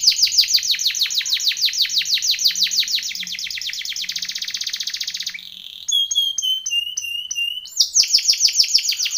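A Timbrado canary sings fast, dense trills of high notes, broken by a run of sweet, falling whistled slides before the rapid rolling returns.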